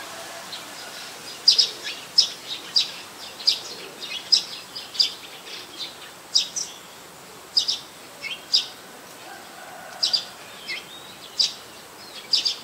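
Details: Streak-eared Bulbul calling in Ubon Ratchathani, Thailand, 4 February 2020: a long, busy sequence of quick high chirps, singles and pairs, continuing about every half second to second amid light background noise.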